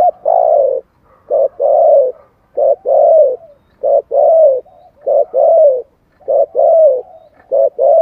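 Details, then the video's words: Spotted dove with a standard wild-type voice, used to quickly draw in wild doves: a steady run of soft, mellow coos in short groups, each syllable slurring downward, repeated almost without pause. "tiếng chim cu gáy giọng thổ chuẩn kích bổi nhanh nổi"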